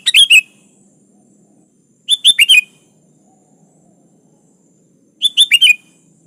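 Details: A sooty-headed bulbul sings to a rival: three short bursts of cheerful, bubbling notes, each burst about half a second long, separated by two to three seconds of quiet.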